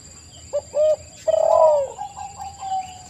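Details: Spotted dove (tekukur) song used as a lure: two brief coos, then a long burred coo that fades into soft, level notes.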